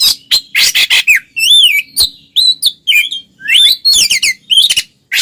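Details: Oriental magpie-robins, two birds, in the ngeplong singing style used to provoke silent ones: a busy mix of harsh buzzy bursts and sweet looping whistles, tumbling quickly with few gaps.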